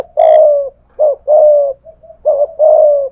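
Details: Decoy spotted dove of the 'thổ pha thúc' voice type, cooing in a contest with a wild dove. There are low, husky coos in pairs: a clipped note, then a long, even one, with brief soft notes between. A faint high click opens the recording.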